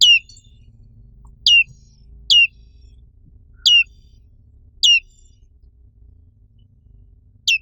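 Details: Black-capped white-eye, found only in Indonesia, repeating a piercing, down-slurred chirp roughly every second, six notes in a quiet setting.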